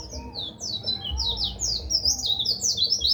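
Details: White-eye song serving as a training tutor for other songbirds: a continuous stream of fast, high, slurred chirps rising and falling in short zigzag notes, lively and unbroken, with faint low background noise.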